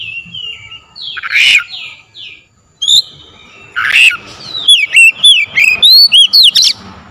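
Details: Oriental magpie-robin lure recording to trigger singing: harsh, scratchy squawks and muffled buzzing notes at first, then a lively run of sharp, varied whistles and chirps repeated several times a second.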